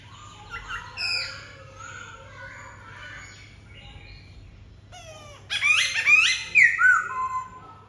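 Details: Black-throated laughingthrush singing: varied whistled and warbled phrases with harmonic notes early on, then a loud burst of rich, slurred, sweeping whistles and rising-falling notes near the end, over a low steady hum.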